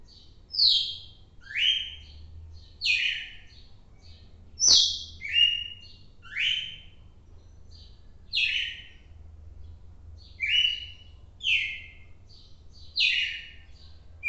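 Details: Red-cowled cardinal named Fantástico, recorded on 4 December: loud, clear song of short descending whistled phrases, each sliding from high to lower pitch, repeated roughly once a second with brief pauses, one sharp click mid-clip, quiet low hum behind.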